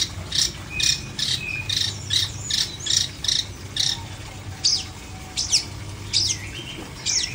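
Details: Long-tailed shrike in an uncovered cage, not somersaulting, sings a varied string of scratchy chirps, buzzes and short whistled notes, uneven in rhythm, with a faint low hum behind.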